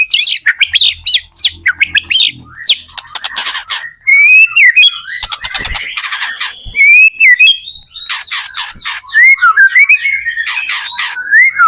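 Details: White-rumped shama singing energetically to draw other shamas into song, rich whistled phrases mixed with harsh squawks, rattling bursts and quick slurred notes, with a faint low hum at the start.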